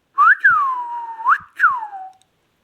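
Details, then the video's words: Indian ringneck parakeet whistling a clear tune: a quick rising note, then a long whistle that slides down and holds steady, another upward sweep, and a final falling whistle, all clean and indoors. "ringneck Indian talking"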